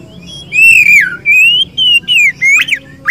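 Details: Caged Oriental magpie-robin of the ngobra, poci or local type, giving long clear whistled phrases that waver and slide downward, followed by short rising and falling notes separated by brief pauses.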